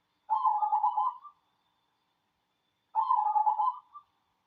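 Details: Song of a local cemani zebra dove: two bubbling phrases of quick staccato coos, each about a second long, spaced nearly three seconds apart. Clean, quiet background.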